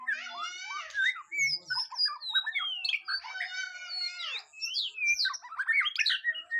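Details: A varied, rapid sequence of whistles, harsh notes and descending slurs from a white-rumped shama during its first mental test. The bird sings almost without pause.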